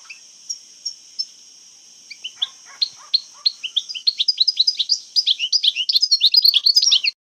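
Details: Algerian European goldfinch delivering traditional old-time 'jebdat khalwiya' song: a few spaced chirps that quicken into a dense, accelerating stream of bright twittering and buzzy notes before stopping abruptly, with a thin continuous high tone behind.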